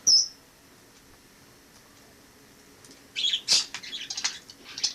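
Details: Wild sparrow that flew in through a balcony in autumn 2006 and lived indoors with a family; a single sharp high chirp opens, then after a pause a burst of rapid, scratchy high chirps and twitters in a quiet room.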